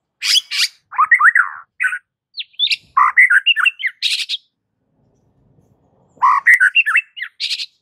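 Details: Aggressive fighting song of a white-rumped shama (murai batu), used to train birds: fast, varied phrases of harsh squawks and slurred whistles, a silent gap, then another energetic burst mixing rough and high notes.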